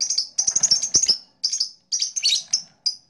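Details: Blue black-masked lovebird chirping in a fast series of high, sharp notes, some in quick clusters and others spaced apart by short pauses.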